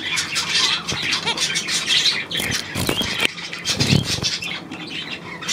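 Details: Chattering budgerigars filmed on 9 February 2024, busy high twitters and grating squawks from several birds, punctuated by sharp clicks and a few low knocks and rustles.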